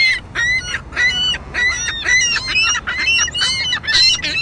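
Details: A juvenile ring-billed gull squawks endlessly, giving harsh, nasal, raspy calls in quick succession, about two per second, with a slight downward slur.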